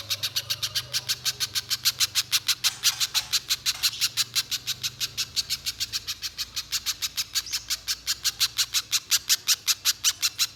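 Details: Spiderhunter in full nonstop song, played to lure another spiderhunter into singing long: sharp, dry chips hammered out roughly three per second without pause, over a faint low hum.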